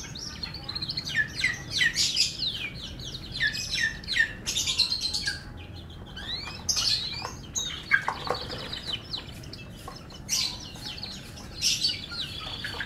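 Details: Canary, F1, in melodious song: bursts of rapid descending chirps and rolling trills separated by short pauses, with a brief high buzz and low background rumble.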